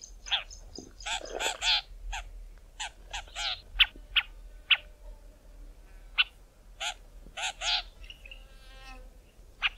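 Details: Southern Tchagra in thick bush in southern Africa giving harsh, rasping 'tcha' notes in uneven bursts, mixed with odd chattering and buzzy calls probably from a territorial battle.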